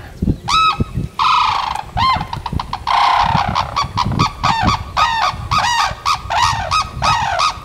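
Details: Sarus cranes in their natural habitat at Bharatpur, India, call loudly in a rapid series of harsh, trumpeting honks, rising and falling, with many overlapping notes from more than one bird.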